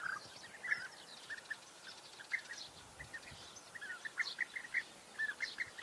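European bee-eaters give short, rolling 'prruip' notes, several every second, in loose overlapping bursts over a steady background hiss.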